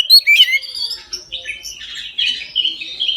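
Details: Oriental magpie-robin, full midday song meant to spur other magpie-robins into singing: a dense, scratchy run of quick chirps, slurred whistles and warbled notes crowded close together.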